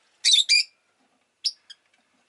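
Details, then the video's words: Pet rosy-faced lovebird giving two loud, harsh, high chirps in quick succession, followed after a pause by a shorter chirp and a faint tiny note. "Lovebird Chirping Sounds"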